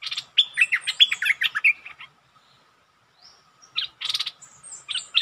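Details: Decoy bulbul challenging a resident territory owner: a quick chattering phrase of clipped, warbled notes, a quiet gap, then renewed sharp chirps and bursts near the end.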